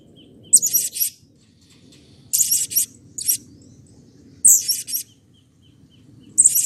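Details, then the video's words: Blue-crowned hanging parrot, agitated, played to stimulate other birds into calling: loud clusters of very high, buzzy, shrill notes come in bursts about every two seconds over a faint low background hum. "SERINDIT GACOR EMOSI || Pancingan Ampuh Agar Serindit Rajin Bunyi"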